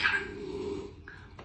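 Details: A female grey parrot talks back to her owner with attitude: a rough, voice-like burst settles into a low drawn-out note, then a brief clear whistle.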